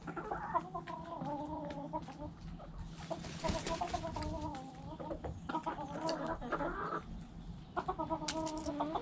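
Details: Several backyard hens cluck and cackle almost nonstop in long, wavering, nasal phrases that overlap one another. A burst of hissy noise comes midway, then the drawn-out calls resume in bouts.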